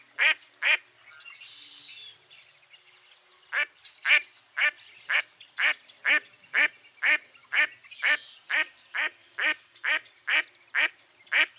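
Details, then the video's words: Two quacks, then a pause of faint hiss, then a long even run of short harsh quacks from a mottled duck, about two per second. "Mottled Duck Call"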